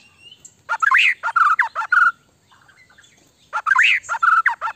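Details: White-rumped shama singing to make another shama respond quickly: two bursts of loud, varied whistled and fluty phrases with sharp chattering notes, separated by a quiet pause.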